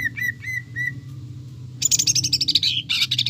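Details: Greater green leafbird lure song with mimicry of other birds: a few clear whistled notes, a pause, then a loud high-pitched rapid chattering trill and a second buzzy burst, low hum beneath.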